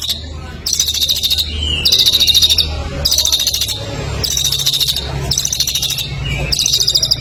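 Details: Songbird used as a singing master for competition birds, delivering repeated high, rapid trilled phrases of under a second each, separated by brief pauses, with a constant low droning hum underneath.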